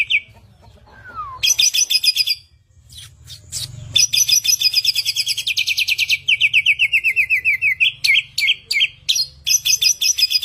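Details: Asian pied starling, a caged songbird known as samyong, singing a varied song: rapid repeated buzzy notes in fast trills, a short falling whistle, clicks and harsh bursts, with a faint low hum beneath.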